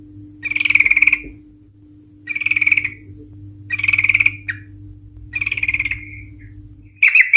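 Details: Sooty-headed Bulbul, described as an excited, vocal bird giving a long rapid trill to lure other Sooty-headed Bulbuls into singing: four chattering, buzzy bursts near mid-high pitch, each about a second long, spaced by pauses, over a steady low hum.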